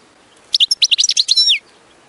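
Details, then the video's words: Short high goldfinch song phrase for singing training, roughly a second of rapid chirps and tinkling notes that close on a descending slurred whistle, clean and free of other sounds. "Taming Your Goldfinch - High Singing Exercises Birds Chirping"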